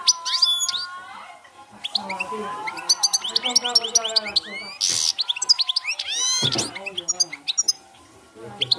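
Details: Campero-style song of a European goldfinch: bright, fast twitters, upward-sweeping whistles and short buzzy bursts throughout, while lower murmuring voices run in the background.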